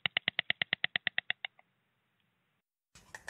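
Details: A White stork rattles by rapidly snapping its beak with its head tilted back, a fast, dry wooden rattle of about a dozen clacks over one and a half seconds, fading away. A brief rustle follows.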